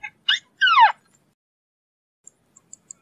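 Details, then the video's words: White-browed crake, known locally as Matang Bayani or Tikling Kabayo: two quick harsh calls, the second a longer buzzy note sliding steeply downward, followed by faint high ticks. "White browed crake Call / Matang Bayani/ Tikling Kabayo"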